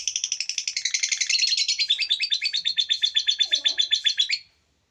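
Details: Songbird heard on a 'full tembakan' masteran recording used to train songbirds: a high, dense twittering burst that turns into quick, regularly repeated chip notes, about four per second, ending abruptly into silence.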